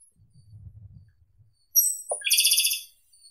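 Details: Japanese robin (Erithacus akahige) song phrase: faint low rumble first, then a few sharp high whistles sliding into a rapid, dense, buzzy trill held for about a second.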